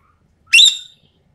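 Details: Sumatran common green magpie, a lively bird in full song used as a training and lure recording: one loud, clear whistled note that rises sharply then slides slightly downward, lasting under half a second, against a silent background.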